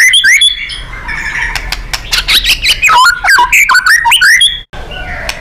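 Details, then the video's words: White-rumped shama in 'nembak' full-power style, a training recording for contest birds: quick bright whistles and sweeps, then a dense stream of chips, slurs and scratchy notes, ending in a short break and soft twitter. "Murai GACOR & NEMBAK ...FULL POWER & FIGHTER"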